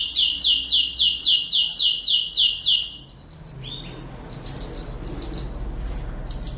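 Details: Lancashire canary, an English breed and a diligent singer, used as master song for training young canaries: fast train of about a dozen identical downward-sweeping buzzy notes for three seconds, then softer scattered chirps and short whistles.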